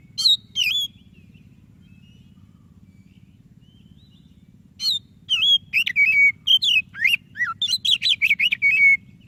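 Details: White-rumped shama, white-breasted variety, used to prompt a quiet shama to sing: two short whistled notes, a long pause, then a rapid burst of slurred whistles, buzzy trills and a drawn-out even note.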